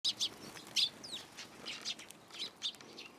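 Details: Sparrows coming onto a person's hand to be fed at a Tenmangu shrine, Japan, on 9 April 2023; a few short, high chirps in small clusters, with soft background hiss.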